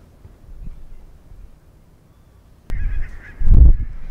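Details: Barnacle geese of the Svalbard breeding population wintering at Mersehead RSPB Reserve, Dumfries and Galloway, November 2011; quiet murmur, then a sudden rise of flock chatter after a sharp click, with a loud honking burst near the end.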